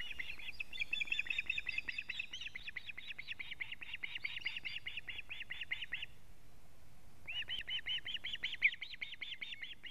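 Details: Long rapid series of loud, high whistled cheeps, broken by a brief gap before resuming: osprey alarm calling at a Latvian nest camera as the male brings in a living fish, 19 July 2017 at 19:43.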